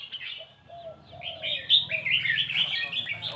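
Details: Red-whiskered bulbul singing in the nap dok (counted-phrase) style: bright, bubbly chirped phrases repeated in quick succession, with softer slurred lower notes early on and a faint low hum underneath.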